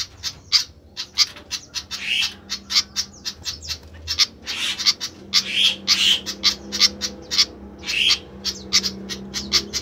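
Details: Agitated-sounding flycatcher: a rapid scratchy chatter broken by a few longer, hoarse rasping notes, steady throughout with a low background hum.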